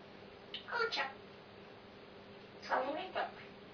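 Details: Pet grey parrot talking, recorded 26 November 2007: two short, quiet, speech-like utterances, each a pair of voiced syllables with shifting tones, separated by about two seconds of near-silence.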